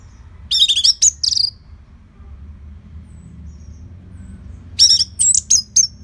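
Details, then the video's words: Orange-headed thrush singing steadily, used as a master song for training other birds: two bursts of high, clear whistled and slurred notes, a cluster near the start and another near the end, with a quiet pause between and a low background hum. "Kicauan ANIS MERAH Gacor Selow"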